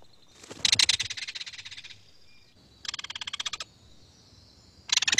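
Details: Belted Kingfisher (Megaceryle alcyon), a very noisy marsh bird of southern Quebec, giving loud, dry, mechanical rattle calls in three bursts of rapid clicks, the first long, with a faint steady whistle underneath.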